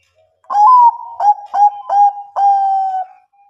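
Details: A Bangkok-type zebra dove, played to spur unwilling birds to sing, utters a five-note cooing phrase: a long wavering opener, three quick clipped coos, then a steady drawn-out closing note, on a quiet background.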